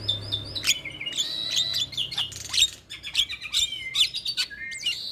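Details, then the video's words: Starling song from a training recording meant to be played to young or reluctant birds so they sing: a busy jumble of high chirps, sharp whistles and buzzy notes, with several calls overlapping. "Masteran Burung Jalak Muda / Jalak Malas Bunyi Rutin Putarkan Agar Jalak Jadi Gacor"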